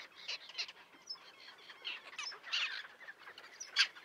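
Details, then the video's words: Common terns in a small breeding colony with chicks near a sea mole at Liepāja, Latvia, June 2024: a busy jumble of short, high, scratchy calls overlapping from many birds. "UPES ZĪRIŅŠ /Sterna hirundo/. Upes zīriņu kolonija ar mazuļiem."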